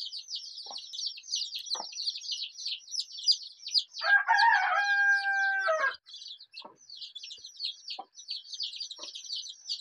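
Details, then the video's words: A flock of colorful desi chicks, a local chicken breed, chirps in a thin, high, overlapping chatter, while a louder, lower harmonic call sounds for about two seconds in the middle. "Desi Chicks, Colorful Chicks, Rainbow Chicks, Desi Murgi"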